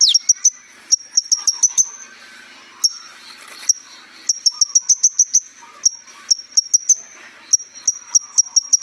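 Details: Kolibri ninja sunbird, recorded as a tutor for young birds, giving sharp, very high, clipped chips in irregular clusters of three to six, with quiet gaps between groups.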